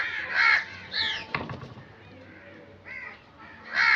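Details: Crow: loud, harsh caws open and close the passage, with a fainter caw in between and a brief knock or clatter early on.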